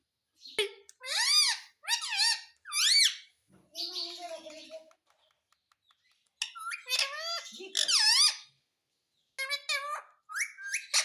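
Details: Pet parrot indoors, said to speak the words mitthu and mummy; bursts of shrill, sharply rising and falling harmonic syllables come in quick groups, then a short pause and a second run of chattering phrases.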